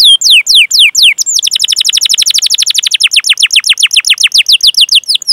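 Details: Canary singing long chirping rolls, a master recording meant to coax young or non-singing canaries: a few slow downward whistles, then a fast even trill of descending notes repeating several times a second.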